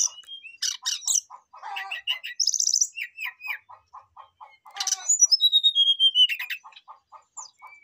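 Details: Brown-chested jungle flycatcher calling a rival in full, busy song: chattering trills, buzzy high bursts and a long descending whistle run, with steadily repeated low ticks throughout.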